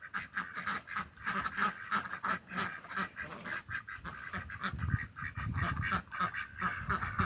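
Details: Backyard domestic ducks, six hatched by their keeper, quacking while eating breakfast in spring; harsh nasal quacks in rapid, uneven overlapping bursts from several birds, with a man's low voice in places.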